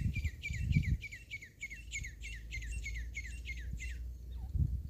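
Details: Grey partridge (desi teetar), filmed during hunting: a quick run of sharp, clipped notes, about four a second, stops abruptly. Low rumbling noise underneath throughout.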